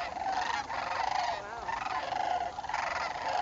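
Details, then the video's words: Sandhill cranes flocking in northern Indiana on fall migration in October 2011 give a dense chorus of rolling, rattled bugling calls that overlap steadily, with some notes sliding briefly up and down. "Sandhill Cranes migrating South for the Winter"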